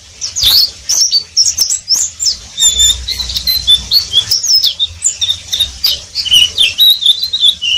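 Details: Oriental white-eye singing ngeriwik style, rapid high chattering chirps mixed with brief thin whistles and buzzy notes, steady and unbroken.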